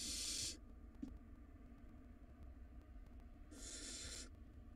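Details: Barn owl nestlings, wild, fighting over a very large rodent in their nest box. One loud hissing screech, a long quiet gap with a single tap, then a softer rasping hiss near the end.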